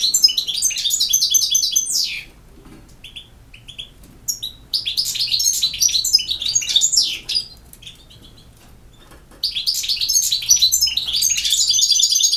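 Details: European goldfinch, campero song style: three long phrases of dense, rapid twittering and buzzy trills, with a few isolated chips in the gaps between phrases.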